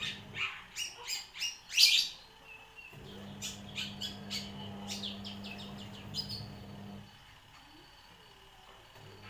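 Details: One-year-old long-tailed shrike singing imitations of bar-winged prinia and sparrow: a run of five sharp, high chirping bursts in the first two seconds, then a quicker string of thin, high chips, with a low steady hum beneath.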